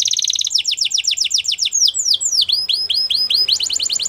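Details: Singing Belgian canary delivering rapid rolled tours of repeated descending chirps, then a few slower looping whistled slurs, then another fast trill, all high-pitched and continuous.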